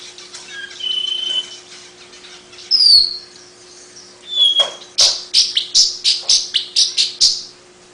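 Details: Long-tailed paradise whydah, a small long-tailed bird with a distinctive chatter: clear whistled notes and a falling slur first, then a dense series of loud, harsh, high chirps in quick succession, over a low hum.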